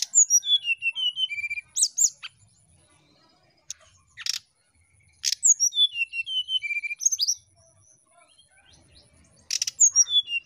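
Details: Brown-chested jungle flycatcher, a bird said to be reluctant to sing, giving bouts of clear whistled notes that step downward from very high to lower pitch, repeated three times with pauses and sharp clicks between, over a faint steady high hum.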